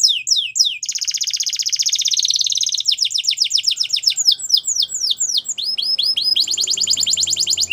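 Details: Belgian canary training song: falling whistles, then a long rapid buzzing trill, followed by varied swooping chirps and a closing fast pulsed roll.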